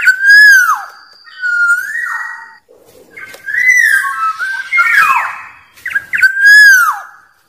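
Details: Wild black-naped oriole challenging rivals with song: repeated clear whistles that bend sharply downward, plain level whistled notes, and a harsher buzzy middle section between them.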